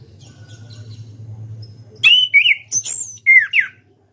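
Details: Following two seconds of low hum, a champion orange-headed thrush bursts into ngeplong song: mixed buzzy and whistled notes, very high slurred whistles and several falling whistles in quick succession.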